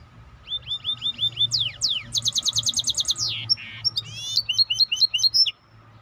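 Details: Maestro bird in full song: a varied run of repeated upslurred whistles, steep downward sweeps, a fast ringing series of notes and buzzy squeaky phrases, delivered continuously over a faint low hum.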